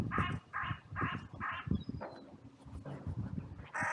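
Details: Crows in a cemetery on a sunny day, massive outcry after two crows fought briefly, others rushing in: a series of harsh caws, about two per second, with low thumping and rustling noise beneath.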